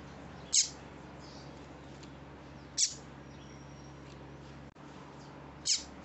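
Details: A female Double-collared seedeater gives three brief, high, sharp chips about two to three seconds apart over a low steady hum, a call used to excite and stimulate males.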